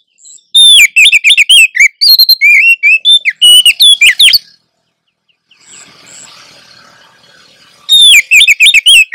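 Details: Female Oriental magpie-robin in breeding condition calling to lure a male, birds answering back and forth: bursts of loud, varied whistled notes and slurred chirps, a quiet pause with faint background hiss, then the rapid whistling resumes.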